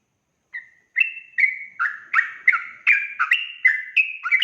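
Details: Sooty-headed bulbul in ropel-style song used to lure wild birds into answering; a lone soft note, then a steady burst of bright, slurred two-pitch whistles, roughly three per second.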